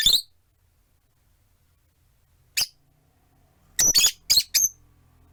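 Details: Four caged rosy-faced lovebirds beside a window, one on a perch, calling: a shrill chirp, a pause, another sharp call, then a rapid burst of four or five harsh, squawky chirps close together over a faint low hum.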